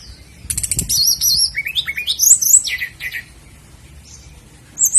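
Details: Tutor recording of sikatan londo flycatcher for caged birds: rapid clicks lead into a wavering high whistle, then a tumbling series of bright slurred notes stepping downward, ending with a brief high phrase.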